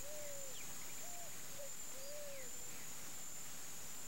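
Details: Deep, mellow coos from a wild Picazuro Pigeon in Campo Grande, Mato Grosso do Sul, Brazil: one long coo, two brief ones, then another long drawn note, set against a continuous shrill insect tone.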